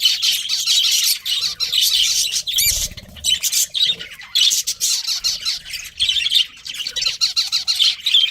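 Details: Pet budgerigars, a breeding pair, producing loud raspy squawks and rapid chirps in dense bursts, with short pauses and a faint low thump partway through.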